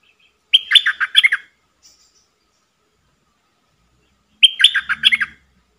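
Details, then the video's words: Bulbul used as a decoy to goad wild birds to fight, giving two short, lively phrases of warbled, chirpy notes about four seconds apart, each under a second long, with silence between and a faint low hum under the second. "เสียงต่อนกดอกแตงEp.117นกป่าจะรบอย่างเดียว!! นกต่อจ้าวขันเงิน Suara merbah lekir"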